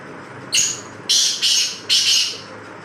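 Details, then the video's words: Black francolin giving a loud, harsh call: one brief scratchy opening note, then three broad grating bursts in quick sequence, the first two run together and the last set apart. "kala tetar bular check"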